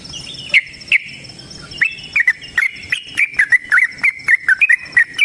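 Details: Yellow-vented bulbul long rapid song used as a lure for caged birds: sparse opening notes building into a steady run of quick bouncing phrases, over a faint high whine and crisp ticks.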